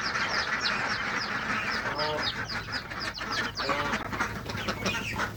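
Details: Baby and adult geese on a small countryside farm, fed fresh green grass near a pond: a dense chorus of high, thin, falling peeps repeated rapidly, with a couple of lower, harsher nasal calls mixed in.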